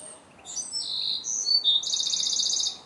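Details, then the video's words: Wrens singing to each other: a bright, high-pitched outburst of quick, varied notes that slides into a long, rapid, metallic trill. "Wrens singing and communicating with each other!"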